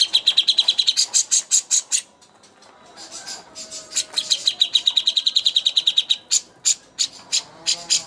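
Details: Greater green leafbird used as a master for bird contests, delivering bursts of rapid piercing chirps, a quieter gap near two seconds, then a fast even trill and loud separated whistles.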